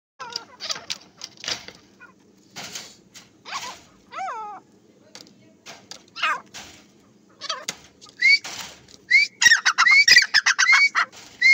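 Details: Black francolin kept as a fighting bird: harsh, rasping broadband notes in uneven bursts, a few with wavering downward harmonics, followed near the end by a quick series of short, rising whistled notes spaced about half a second apart.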